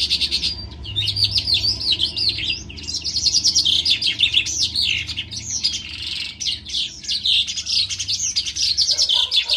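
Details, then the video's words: Lark pouring out dzhurbay-style song in a ravine: continuous high, fast warbling of chirps, rolls and slurred whistles, over a soft steady low background rumble. "Джурбай ,песня жаворонка в яру"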